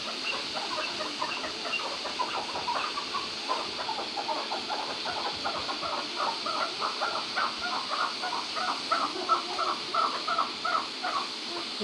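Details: Chukar partridge, a first-cross Maskati keklik, in an excited mood, giving a long run of rapid, clucking chuk notes. The notes come several per second in uneven bursts that swell and fade, over a steady hiss of background noise.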